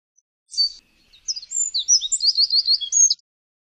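Eurasian wren giving a fast, high, tumbling burst of trills and sharp notes, about three seconds long, after a brief opening note.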